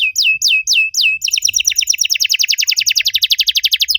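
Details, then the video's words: Canary master song meant to stimulate other canaries that have stopped singing: four descending whistled slurs, then a fast even trill of about sixteen notes per second in a quiet setting. "MASTERAN KENARI AMPUH BUAT MANCING KENARI LAIN YANG MACET BUNYI! - CANARY SINGING"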